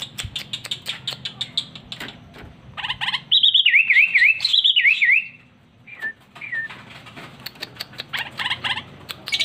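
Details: Home-kept sooty-headed bulbul picking up calls from the many other birds around the house: rapid chirp bursts, then two loud wavering whistled phrases that dip up and down, then more quick chirps after a short pause.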